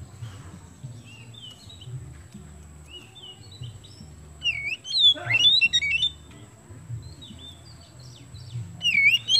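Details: Kemben-type Oriental magpie-robin singing to encourage other birds; sparse soft whistled notes, then a loud tumbling burst of sharp, slurred calls midway and another rising whistled flourish at the end.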